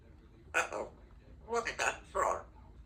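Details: A 2-year-old female Congo African grey parrot at home says three short, raspy, word-like phrases in a human-sounding voice during an afternoon of practising words and sounds, with quiet room noise between them.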